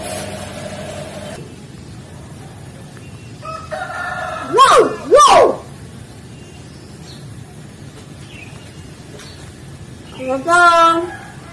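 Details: A trained black Nias hill myna, which can mimic many voices, says "assalamualaikum" in a few voice-like bursts of two or three syllables, then adds a higher wavering phrase near the end, over a quiet background.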